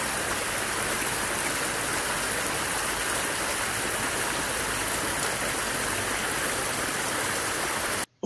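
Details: Continuous rush of flowing water, like a stream or heavy rain, ending in a sudden brief cut to silence.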